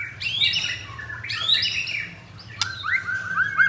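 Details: White-rumped shama, a ringed cage bird from Jakarta, Indonesia, singing in 'pastol blorok' style: two loud, rich rising phrases, a sharp click, then a lower run of whistled notes over a faint hum.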